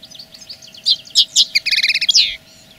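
A common linnet sings a quick, high twittering phrase of varied chirps ending in fast buzzy trills, over a faint steady hum.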